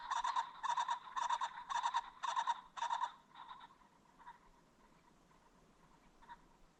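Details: Ring-necked pheasant calling along a creek bottom at sunset: a rapid series of harsh, buzzy bursts in about six quick clusters over three seconds, then fainter scattered notes in a quiet evening background.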